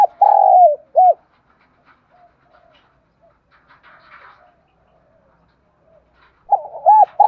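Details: Spotted dove calling as a lure for wild doves during morning decoy training: a long coo and a looped note open, then a quiet pause with faint chirps, and a new phrase of looping coos begins at the end.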